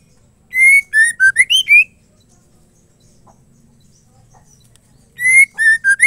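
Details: Female white-rumped shama, whose song is meant to get males singing: a bright phrase of six whistles, level, dipping, then climbing, repeated after a pause of about three seconds.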